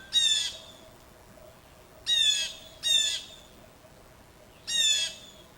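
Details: Two Blue Jays in a backyard give harsh, screechy jay calls, four loud squawks spaced roughly one to two seconds apart, over a quiet outdoor background.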